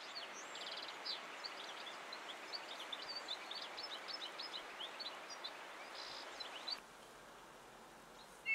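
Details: European goldfinch (Carduelis carduelis) delivering a fairly faint, fast run of liquid twittering notes that goes on for almost seven seconds and then breaks off, leaving quiet hiss and a brief clunk at the end.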